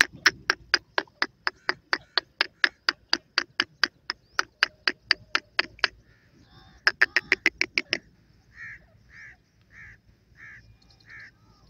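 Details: Partridge, named as Irani teetar, calling in a rapid run of sharp, clipped notes repeated steadily for about six seconds, then a short faster burst and several softer, lower rounded notes.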